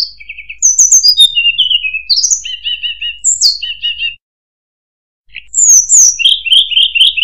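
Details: Varied song of a murai buluh (tledekan): chattering trills, quick downslurred whistles and repeated stuttered phrases, a silent pause, then a fast rolling run of notes.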